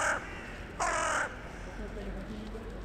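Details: Evening calls of a crow in a town centre, answering others flying in to roost, January 2021: two rough caws, a short one then a longer one, followed by faint background murmur.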